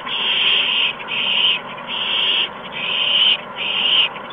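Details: Young owls at the nest during three quick prey deliveries, mice and a gopher, evening of 13 March 2015; five loud, harsh hissing bursts, each about half a second, in rapid near-continuous succession.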